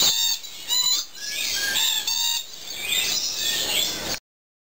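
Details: Free-flying lories at a bird park give shrill, squeaky parrot calls with upswept notes, several in quick succession over about four seconds, in a noisy, echoing setting.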